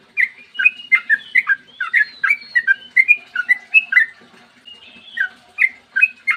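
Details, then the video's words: Sooty-headed bulbul in clear long 'ropel' song, played to draw other bulbuls into singing; dense chain of liquid whistled notes swooping up and down, a short quieter gap, then more spaced phrases, faint background hum. "trucukan gacor ROPEL PANJANG buat pancingan trucukan agar bunyi"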